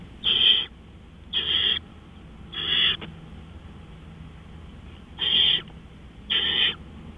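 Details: At night on 20 April 2013, around 3:15 AM, an owl gives rasping, hissing screeches of about half a second each, three in quick succession, a pause, then two more.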